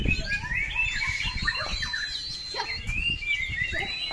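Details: White-rumped shama (murai batu) singing a string of clear, high whistled phrases and sliding notes, with a long steady whistle held near the end, over low rumbling background noise.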